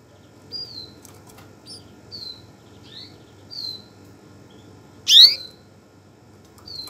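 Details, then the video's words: Canary giving short, high chirps and whistled notes spaced about a second apart, with one louder, sharper note near the end over a faint low hum. "تغريد طائر الكناري Canario"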